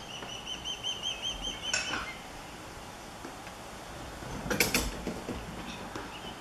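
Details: Stressed female osprey at her nest calling out as an intruding third osprey lingers nearby all afternoon; a run of short, piercing whistled chirps repeated quickly, then a pause and a fainter burst, with steady background noise.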